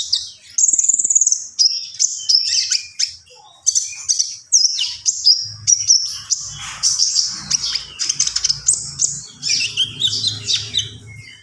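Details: Common iora singing at length, varied high twittering and clear whistled notes strung together quickly, growing denser and more chattering toward the end, low background hum.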